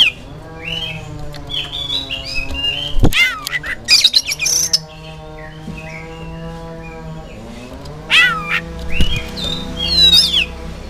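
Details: Oriental magpie-robin song used as a lure to prompt kept birds to answer: bursts of clear whistles, quick rising and falling sweeps and sharp chirps, loudest around three, four, eight and ten seconds, over a continuous low droning harmonic tone.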